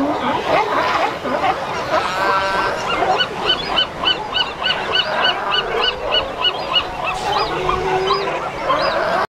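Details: A Brandt's cormorant chick begging at feeding on 18 August 2015: rapid, repeated high squealing notes, several a second, over a dense background of other seabird calls.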